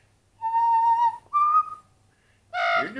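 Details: Pet parrot rehearsing "Anchors Aweigh" with its owner: one long steady whistled note, a short higher whistle after a small gap, then a brief rough voice-like burst; faint low hum underneath.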